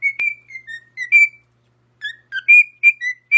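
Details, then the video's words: Parrot singing: a sweet series of clear whistled notes, some gliding up and others dipping, in two phrases separated by a half-second pause, with no background noise. "Parrot Making The Sweetest Sound Singing"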